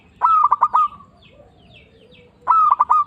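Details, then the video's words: Lure bird for catching zebra doves, a local, frequently calling individual; two rolling coo phrases a little over two seconds apart, each four rapid soft beats trailing into a smooth held tone, with a faint low murmur between. "Perkutut lokal gacor Suara Seperti ini Manjur Untuk Pancingan"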